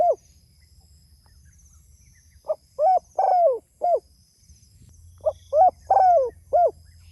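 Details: Spotted dove calling to others: two bursts of low, mellow cooing, each a short note followed by three longer downslurred coos, separated by a pause of about two seconds, over a faint steady hum.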